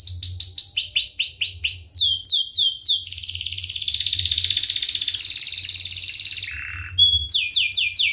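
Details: Energetic canary song from a recording used to tutor young canaries: rows of repeated downslurred whistles, a long fast buzzy roll, a lower brief note, then more sharp sweeping whistles.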